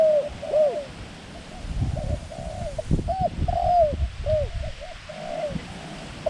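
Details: Mid-pitched cooing from a decoy dove set out to attract wild doves: arched, slightly drooping notes repeated about twice per second in loose phrases, with soft low-frequency noise behind.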